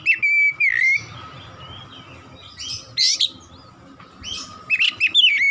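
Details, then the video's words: Oriental magpie-robin in 'nembak' song: short bursts of clear whistles and harsh sweeping notes, separated by quiet gaps. A low steady hum continues throughout. "KACER GACOR NEMBAK NEMBAK"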